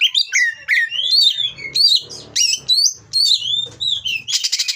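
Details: Caged Oriental magpie-robin from Indonesia singing its mating song used to rile rival birds: a fast run of sweet slurred whistles and downward glides, separated by short pauses, closing with a dry rattling buzz.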